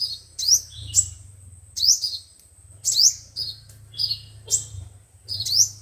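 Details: Sunbird song, five-colour and seven-colour kinds, broadcast to attract birds into traps: sharp high upward sweeps and lower buzzy notes in uneven bursts, over a noticeable steady low rumble.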